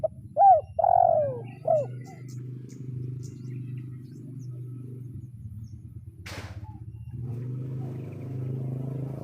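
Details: Spotted dove in 'kuk 0-1' lure style calling a rival. One fast coo phrase opens: arched note, long falling coo, short coo. It gives way to a long low hum and a sharp knock.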